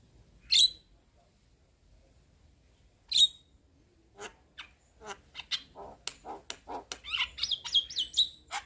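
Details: A white-eyed Javan myna, nodding its head, gives two sharp, high chirps a few seconds apart, then a quick run of clicks, harsh notes and squeaky whistles in a jumbled chatter.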